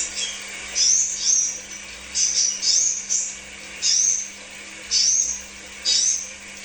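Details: Crimson sunbird, a lure recording meant to stimulate kept birds: sharp, very high chirps and quick slurred squeaks in separate bursts roughly every second, with short pauses between them. A faint low hum is also heard.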